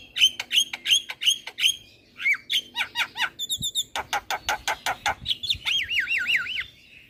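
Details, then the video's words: Black-winged myna song used as a lure so young birds join in: repeated sharp whistled notes, varied harsh chatter and rattles, then a long wavering trilled whistle near the end. "Pancingan Burung Jalak Kebo Super Gacor Jalak Kebo Muda Pasti Ikut Bunyi"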